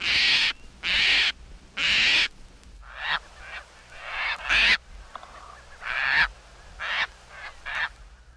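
Caspian Tern giving harsh, raspy, croaking calls: three long rasps about a second apart, then a run of shorter, broken screeches.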